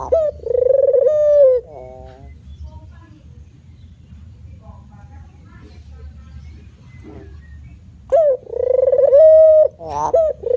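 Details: Male spotted dove in manggung cooing: one long mellow coo and a buzzy note at the start, a long quiet gap with faint low noise, then cooing resumes near the end.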